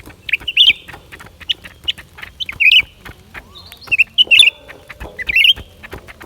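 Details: Lively song of a lesser green leafbird: rapid sequences of high, clipped chips and squeaky twitters, closely packed, with a thin drawn-out whistle in the middle.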